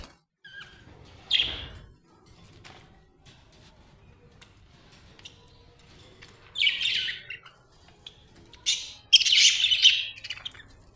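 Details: A happy budgie gives scattered bursts of high, rough chirping, one early and two later clusters, separated by long quiet stretches.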